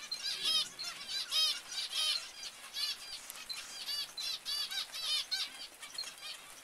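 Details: Clear, loud zebra finch beeps, bright nasal toy-trumpet notes, one bird repeating them in bursts roughly every half second to second, with fainter finch calls in between.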